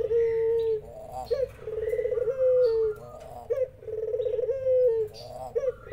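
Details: A spotted dove calls as zebra doves answer. Rich, rolling coos with a falling tail alternate with quick rising notes. High, thin bird calls sound faintly in the background.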